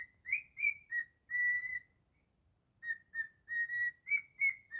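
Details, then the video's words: A cockatiel kept at home whistles Jingle Bells in its own version: quick notes and a long held tone, a quiet gap, then a second phrase of short notes rising a little at the end. "Cockatiel singing beautifully 😍 jingle bells"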